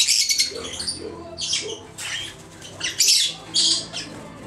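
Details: This year's young red-winged parrots (Aprosmictus erythropterus), recorded in 2014, give harsh, screechy squawks in short bursts about every half second, high-pitched and rasping, with faint rustling in between.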